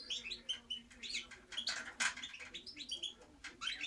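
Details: European goldfinch song, a fast continuous stream of bright twittering notes, liquid chirps and brief buzzy rattles jumbled closely together, over a low constant background hum.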